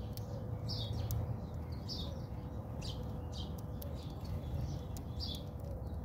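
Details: House sparrows fighting in a backyard in South Africa: bursts of short, harsh chirps repeated irregularly, several birds overlapping, over a steady low rumble of background noise.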